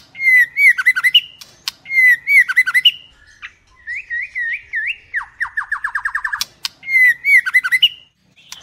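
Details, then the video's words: Female White-rumped shama, a caged bird, sings rich whistled phrases around two to three kilohertz, repeated loops of warbling notes followed by a rapid descending trill series; clear recording with little background. "เสียงนกกางเขนดง หรือบินหลาดง ใหม่ล่าสุด 2021 คมชัด 100% นกบินหลาดง ตัวเมีย"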